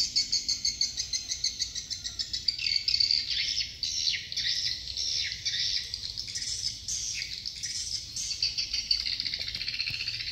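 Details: A colony of swiftlets from Phú Quốc's Dương Tơ commune gives clipped, evenly pulsed high chirps that blend into a thick buzzing twitter.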